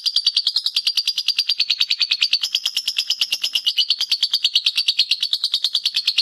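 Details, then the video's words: Lovebird ngekek song, kept as a master recording for training other birds: a long unbroken high chatter of evenly pulsed notes, wavering slightly in pitch and never pausing. "Suara Lovebird ngekek masteran"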